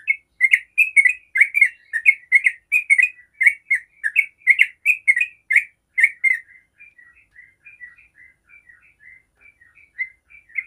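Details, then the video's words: Yellow-vented bulbul singing a long 'ropel' style song, used to lure other bulbuls into answering: rapid bubbly, chattering phrases crowded together for about six seconds, then fading into softer, sparse, scattered notes. "Trucuk ropel panjang sangat jago bikin trucuk manapun langsung nyaut ropel"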